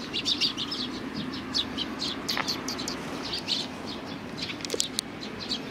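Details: Several Eurasian tree sparrows gather on a bench for food, recorded 3 June 2020, giving dense, overlapping bright chirps in quick succession against a constant low background rumble.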